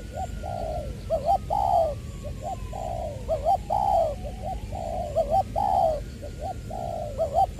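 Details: Spotted dove decoy bird from Tra Vinh, Long Duc, Vietnam, voice of the 'Tieu' style, recorded 22 February 2021: mid-pitched coo phrases, short doubled notes followed by a longer falling coo, repeated in a steady string over a low background hum.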